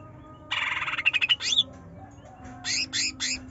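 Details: Greater green leafbird, trotol style, played to stir a lazy bird into song: a harsh buzzy rattle running into bright whistles, then several short, raspy squawks in quick succession.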